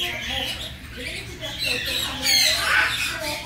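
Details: A young red-tailed grey parrot shows affection to a parrot friend, giving soft, raspy chattering murmurs that build into a brief squawky, rising note, over a low hum.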